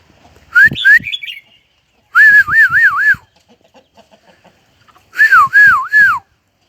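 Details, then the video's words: Crested bird singing in a H'Mong village on the Dong Van Ha Giang rocky plateau: loud, close, fluty whistled phrases that rise then wobble up and down, three bursts about two seconds apart, with soft clicks between. "The Crested Bird Sings Beautifully"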